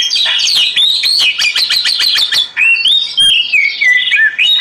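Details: Oriental magpie-robin singing over flowing water for meditation: a fast run of repeated sharp chattering notes for about two seconds, followed by smooth, wavering whistled phrases that dip and rise, delivered loudly and without pause.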